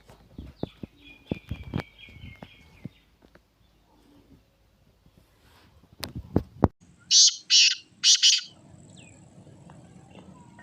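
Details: Black francolin: a thin buzzy trill early on among scattered clicks, then after a quiet gap three loud, grating, rasping notes in a fast series, followed by low background hum.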